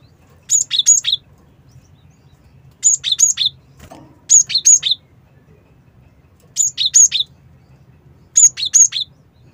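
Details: Cinereous tit call used as a lure for catching birds: high, sharp three-note phrases, two thin whistles then a lower note, repeated in five bursts roughly two seconds apart over a faint low hum.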